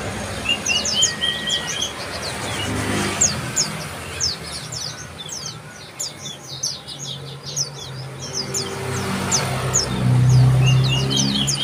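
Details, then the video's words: Bar-winged prinia call: steady stream of high, sharp, downslurred chirps around four per second, occasional lower whistled notes, with a low humming rumble underneath. "bar-winged Prinia call"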